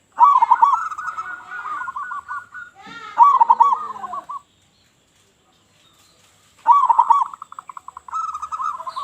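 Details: Local Zebra dove calling loudly as a lure for other doves: strong rippling coo bursts followed by long trains of quick even pulses, with a harsher overlapping call and a silent gap midway.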